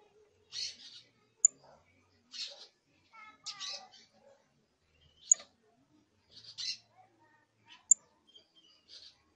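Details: Young canary chick giving its first tentative song, scratchy and broken: short buzzy high bursts repeated irregularly about every second, with a sharp click or two and a brief harmonic whistle in the middle.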